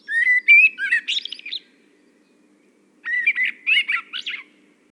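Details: Common blackbird giving two relaxed, fluty phrases separated by a pause. Each opens with mellow whistles that rise, then breaks into squeaky, twittering high notes at the end.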